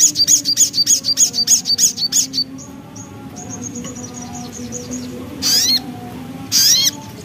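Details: Javan black-capped babbler, 'nembak ngriwik' song style: a quick string of a dozen sharp, high chirps, then soft twittering, then two loud, buzzy, downslurred notes about a second apart, over a low hum.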